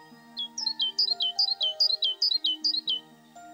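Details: Great tit at a garden feeding place in Goch, singing a clear repeated two-note phrase, high then lower, about eleven times in a steady rhythm over soft background music.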